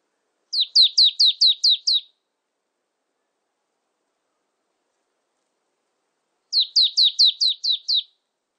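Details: Two bursts of about seven fast, high, falling whistled notes from a marsh tit, separated by roughly four seconds of silence.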